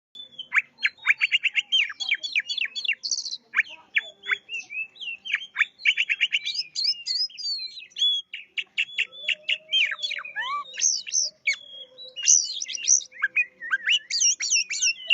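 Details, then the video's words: Oriental magpie-robin (kacer) in vigorous, nonstop 'gacor' singing: a rich, varied stream of sharp whistles, rapid trills and buzzy chattering notes, delivered in quick bursts with brief pauses over fifteen seconds; a faint steady low hum appears midway. "Suara Burung Kacer Gacor"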